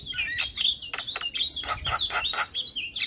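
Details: Male Javan myna (jalak kebo) in strong, lively song, a dense run of harsh broadband notes mixed with high whistled and chattering phrases, the notes tumbling quickly one after another with no pause.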